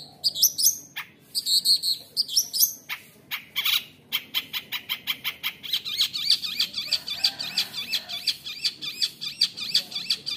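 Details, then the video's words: Rolling, fast-repeated high notes run for several seconds after a few sharp chirps. The bird is a forest-born long-tailed shrike with a fighter temperament, giving a rich 'roll tembak' song that makes other shrikes angry. "cendet dari MUDA HUTAN gacor fighter isian ROLL TEMBAK MEWAH | bikin cendet lain langsung emosi"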